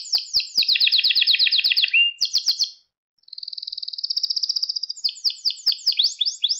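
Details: Canary singing for training young canaries: a long fast trill of descending notes, a brief pause, then a smooth rising rolling trill and a closing run of downward-sweeping chirps.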